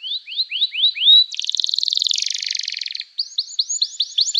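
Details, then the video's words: Canary 'gacor' song to make other canaries respond: rising whistled slurs, a dense buzzy trill for about two seconds, then quick repeated upswept chirps. "Kicauan Kenari Gacor Bikin Nyaut kenari lain || Gacor Cuit Cuit emosi, terapi ampuh kenari macet"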